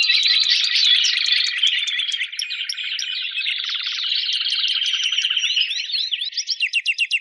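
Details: Competition Timbrado canary rated 83 points, in contest simulation: continuous rolling, bubbling trills and warbled phrases, ending in a series of evenly repeated sharp notes.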